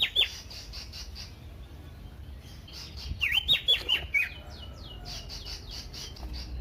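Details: Common iora song played to trigger other ioras into song, with a quick sharp note at the start and a short series of bright clipped whistles midway against faint background chirping.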